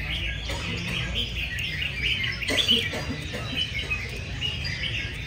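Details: Red-whiskered bulbuls, several caged birds in a singing competition before a large crowd of fans, pour out tangled, lively whistled phrases at once; a brief louder burst midway over constant low background hubbub.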